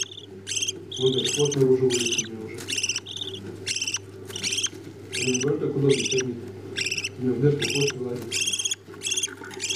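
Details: Budgerigar chicks being fed by their parents, giving harsh, raspy begging calls in a steady series of about two per second, with low, murmuring feeding sounds underneath.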